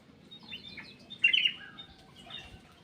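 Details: Black-capped bulbul kept in an aviary, singing actively: a loud, bright burst of warbled, slurred notes near the middle, with softer high chirps before and after and a low rumble of background noise.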